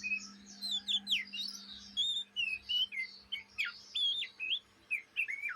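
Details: Oriental magpie-robin fledgling, Indonesia, in ngriwik chattering mode, day or night: a near-continuous stream of brief warbled slurs and clipped whistles, rising and falling, about two notes per second, against a soft steady hum.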